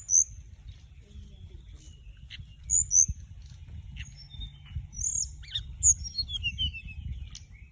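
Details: Male and female orange-breasted, white-bellied flycatcher flying around; scattered thin, very high whistles and short clicks, a few descending slurred notes near the end, over soft low background rumble.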